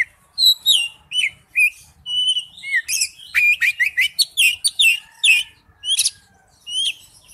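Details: Oriental magpie-robin lure song, a varied run of clear whistled notes, rising and falling slurs and buzzy chattering bursts, delivered in quick separate phrases.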